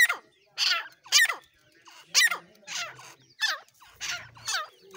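A partridge gives harsh, scratchy, high-pitched calls, each with a quick rising-and-falling sweep, repeated about twice a second. A faint low hum sits underneath.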